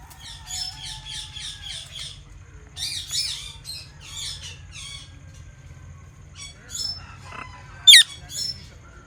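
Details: Parrot chirping in quick rhythmic bursts of raspy notes, six in a row, then further clusters and a single piercing sharp whistle near the end, over a soft low hum.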